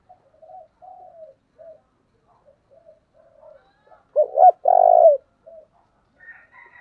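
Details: Spotted dove of the 'giọng thổ' voice style in an intense 'thúc căng lửa' calling bout: soft low coos building to two loud, rough, throaty coo notes, then a quieter tail and faint higher chirps.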